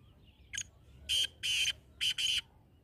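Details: Black francolin giving its grating call: a brief first note followed by two drawn-out rasping notes and a quick double note, over faint low background noise.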